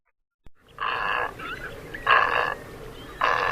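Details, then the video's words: Great egret giving three harsh, rasping croaks, each about half a second long, spaced a little over a second apart. "the sound you just heard was that of the great egret"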